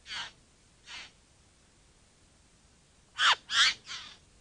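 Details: Two spaced, breathy, rasping notes from a bowerbird, a long pause, then a quick burst of three louder, harsher, scratchy calls close together.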